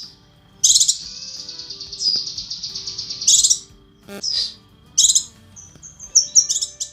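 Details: A female cucak kinoi calls for the male in a training recording: a long, high, buzzy trill, then short sharp bursts of high chirps with gaps between.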